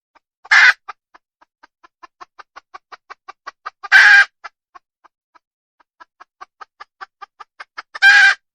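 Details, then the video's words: Wild red junglefowl hen alternating long trains of soft, even clucks with three loud, harsh squawks spaced about four seconds apart. "Suab poj qaib qus tsauj dib tuaj zoo heev"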